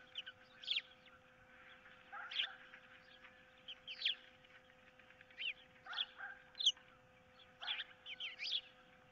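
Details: Osprey at a camera-watched nest on 15 April 2023, with an intruder in the area and a dispute over a fish; sharp, high, rising whistled chirps in short bursts roughly every one to two seconds, constant low hum beneath.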